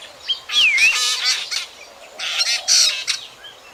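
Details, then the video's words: Drongo calls of the kind used as a lure for night bird trapping, recorded 2024: harsh, dense chattering bursts with clear whistled notes that dip and then rise, and a short high chirp. "Tiếng chim Chèo Bẻo kinh tế. Kỉ niệm cho anh em bẫy chim đêm 2024"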